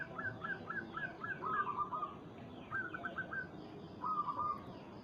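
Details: Local zebra dove calling a rival as a lure: a row of hooked cooing notes, then a soft trill and two more short clusters of clipped coos over a hissing background.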